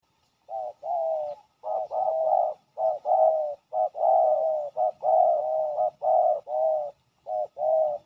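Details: Fierce territory-holding male spotted dove answering a ground decoy with steady low hollow coos, about one per second, each opening with a brief stutter.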